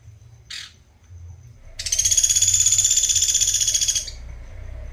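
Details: Pelatuk beras (Sunda pygmy woodpecker) in chatty form, a master recording for training songbirds: a brief high buzzy note, then a dense, rapidly pulsed, harsh trill of about two seconds, bright and high-pitched, over a faint low hum.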